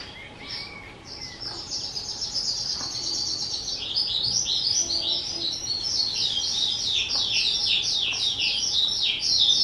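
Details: Two-year-old skylark kept as a pet, recorded 18 April 2023: after a few thin opening notes, a quick rolling warble builds into a dense, bubbling cascade of high chirps that grows louder.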